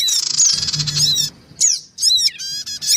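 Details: Black-winged cuckooshrike, female and male with young, in a lure recording used to attract small birds: dense noisy high chattering bursts with steeply modulated chirps, broken by short pauses.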